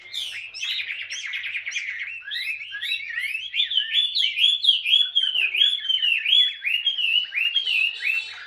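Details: Chinese hwamei, a wild-caught bird kept caged for two years, pours out a loud continuous song of rich warbling and slurred whistled notes, quick and varied, ending in rising swoops.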